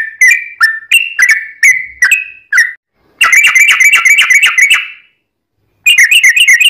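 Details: Sooty-headed bulbul lure song: a few spaced, falling whistles followed by a fast, buzzy rattling trill of bright notes, a pause, then the rattle resumes.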